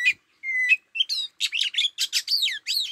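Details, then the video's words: Oriental magpie-robin lure song: a clear level whistle, then a rapid run of varied sweet, slurred and chattering notes, high-pitched and rich, with no other sounds. "Tiếng Chích chòe than mồi hót"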